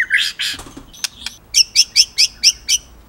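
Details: Murai batu (white-rumped shama), Indonesia, singing: two harsh buzzy notes followed by six sharp, high chips spaced about four to a second.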